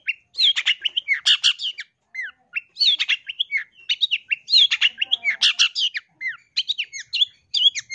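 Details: Long-tailed shrike training song, loud and vigorous: tumbling phrases of whistled slurs mixed with harsh scratchy bursts, delivered in dense runs separated by short breaks.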